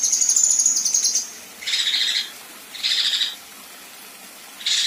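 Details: A female kinoi gives harsh "tembakan kasar" shots: a high, sizzling trill, then three harsh, buzzy bursts about a second apart. No other sounds are heard.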